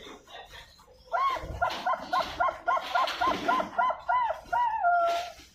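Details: Captive Bangkok-type zebra dove bred at a bird farm in Pasuruan, East Java, Indonesia, cooing a fast run of about a dozen short, rounded notes that ends in a longer drawn-out coo, with some background clatter and noise.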